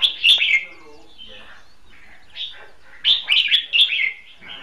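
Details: A wild red-whiskered bulbul, calling from far off rather than close by during bulbul trapping, gives two bursts of loud, bubbly, warbled phrases about three seconds apart, with a softer note between them.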